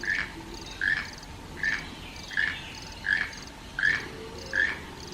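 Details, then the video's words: Wild toucan in the rainforest giving a steady series of hoarse, croaking mid-pitched calls, one roughly every three-quarters of a second, with faint insect hum and distant birds behind. "The Enchanting Sounds of Toucans in the Wild"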